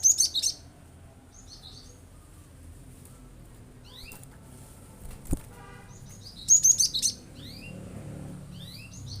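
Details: Singing cinereous tit provoking other birds to join in: spaced groups of thin, high downslurred notes and brief sharp bursts, with one loud click in the middle and otherwise quiet background.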